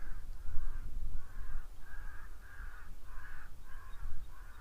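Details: White-necked ravens give a steady run of harsh, hoarse caws, about two a second, over a low rumble of rain and wind, as they head toward a buffalo mud wallow during rain.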